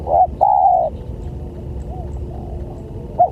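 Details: Spotted dove calling as a lure for other doves: a short coo then a long even coo, followed by quieter distant coos and the start of another phrase.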